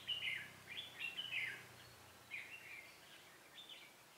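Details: During bulbul trapping on 18 September 2017, a red-whiskered bulbul gives quick warbled, slurred phrases in bursts, a lively run at the start then a softer, broken second phrase, over low background noise.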